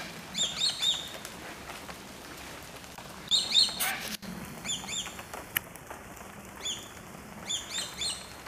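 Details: Numerous swallow-tailed kites vocalizing while flying together; repeated series of thin, piercing whistles, each note dropping in pitch, delivered in clusters of three or four, with pauses and light wind noise between.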